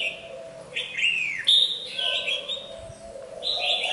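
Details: Red-whiskered bulbul, molting but still singing: short, bright whistled phrases, some sweeping down, repeated over a steady low hum.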